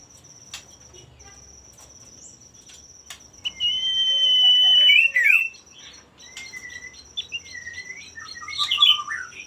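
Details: Male common iora singing to stir rival birds: after quiet, a drawn-out level whistle ending in a sharp downslur, then softer upslurred whistles and a final warbled flourish, with a constant high tone behind.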